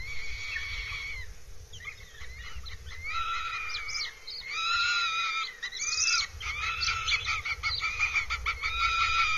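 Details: Northern goshawk at a nest in Abernethy Forest, Scotland, recorded 3 July 2022. Drawn-out, harmonic wailing calls with broken squealing phrases repeat throughout over a steady low background hum.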